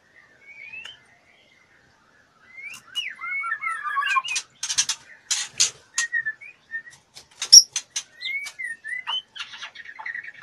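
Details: Female white-rumped shama in breeding condition, fluttering and asking to be mated: looping rising and falling whistles alternate with dry clicking bursts and one loud sharp snap, with short pauses between phrases.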